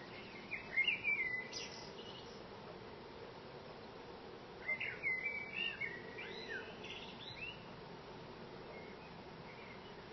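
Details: Male common blackbird singing outside a window from a treetop branch, a local singer that sang for fifteen minutes; two rich warbling phrases about four seconds apart, the second ending in softer twittering, with a low background hum.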